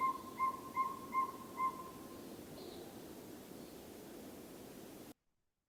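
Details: Northern Saw-whet Owl giving a run of evenly spaced, whistled toots that stops after about two seconds, leaving a low background hum and a faint distant higher note.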